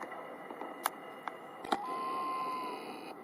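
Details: Loon at a lake along the Clearwater River in Banff's front ranges, where fish were rising, giving one long, pure whistled note that lifts slightly then holds about a second, among sharp clicks and handling bumps.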